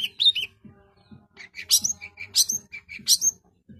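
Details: Long-tailed shrike (cendet) in full, dense 'tembakan' singing: short high chirps and buzzy bursts in quick groups, with brief gaps between phrases and a faint low hum beneath.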